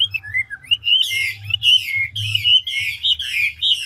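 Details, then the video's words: Fast ngũ trường song of a mature wild-caught Chinese hwamei, switching voice continuously: gliding whistles lead into a run of loud, buzzy, slurred phrases repeated about twice a second. "Họa mi ngũ trường đảo giọng tốc độ"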